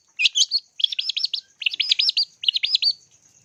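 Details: Long-tailed shrike song from a lure recording for training birds: four fast phrases of undulating, rolling whistled notes, each phrase a quick wavering trill lasting about half a second, separated by short pauses; a thin constant high-pitched tone sits underneath.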